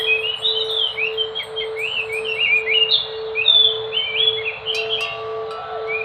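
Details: Enggano thrush (Geokichla leucolaema), a songbird of Enggano island off Sumatra, west of Bengkulu, Indonesia, delivering a fast, varied stream of slurred whistled notes rising and falling, with several higher sharp notes near the end, over a constant low hum.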